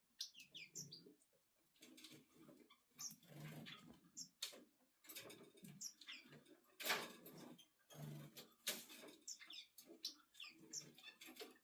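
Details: Male red-billed firefinch being stroked, giving thin, high, short chirps in loose clusters, mixed with close rustling and brushing handling noises.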